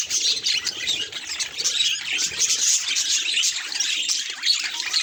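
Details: Budgies responding to a mirror chatter constantly, with sharp high chirps laid over a raspy warbling background that never stops.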